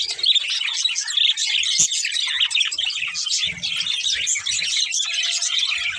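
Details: Nonstop high warbling and chirping from a budgie pair, dense and scratchy, with a few brief low knocks in the background.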